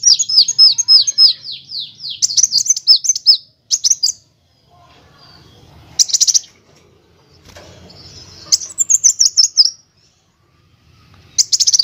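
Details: Van Hasselt's sunbird (kolibri wulung) training song with nyrecet, nembak and ngerol styles: a run of quick descending high chirps, then short sharp bursts of trilled notes separated by silent gaps.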